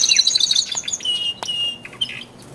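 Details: Male canaries, twelve birds, in early February as their singing intensifies before spring; a brief fast trill fades into a held whistle and scattered chirps, growing quieter toward the end.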